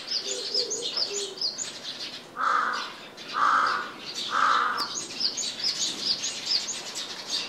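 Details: Japanese tit recorded 29 January 2023 at a home, with the background replaced by separately recorded home ambience, gives thin, high chirps in quick bursts, broken midway by three loud, harsh, crow-like caws about a second apart.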